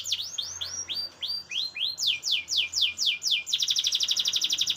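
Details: Canary singing as tutor song for magpie-robin training: series of bright, high notes sweeping downward, repeated about twice a second, then breaking into a rapid, rattling high trill.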